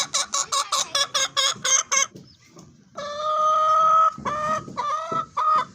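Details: A fancy chicken first clucks in quick regular pulses, then after a short pause gives a long drawn-out nasal cackle followed by two more stretched, slightly wavering notes.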